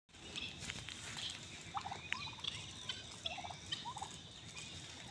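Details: Domestic turkey recorded alongside a red rooster, giving short, rapid warbling gobble bursts spaced irregularly through the recording, with a faint hiss of background noise.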